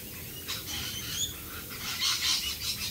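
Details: Rainbow lorikeets calling in the rain in Australia: harsh, high screechy notes in bursts with a steady hiss of rain beneath.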